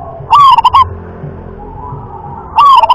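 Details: Zebra dove of local stock delivering its prized irama-class song, two mellow cooing phrases about two seconds apart, each opening with a drawn-out note and breaking into brisk clipped coos.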